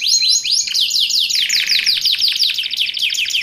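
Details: Singing canary, recording meant for training caged birds and luring wild ones: fast descending sweeps repeated rapidly, a short low buzzy roll, then more quick rattling sweeps.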